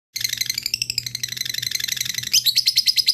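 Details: Lovebird ngekek (long chattering) lure song, calling to rival birds: fast, harsh, high chattering notes about three per second, turning into sharper repeated chips near the end; faint low hum beneath.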